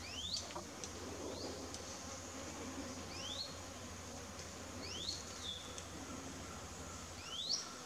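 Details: Wire-tailed manakin of the Amazon, displaying and dancing for a female, gives about five quick thin upward-sweeping notes at irregular intervals of one to two seconds, set against a constant high insect whine and low background rumble.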